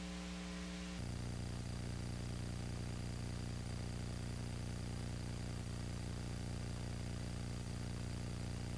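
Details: Steady electrical hum with static and a low buzzing drone, sharpening after the first second, with no animal voices heard.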